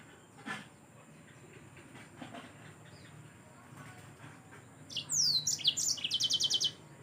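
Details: Yellow-fronted canary singing energetically, offered as a tutor recording for training songbirds: after quiet rustling and a faint low hum, a bright burst of steeply falling high notes turns into a fast, even trill of rapid chips lasting about two seconds.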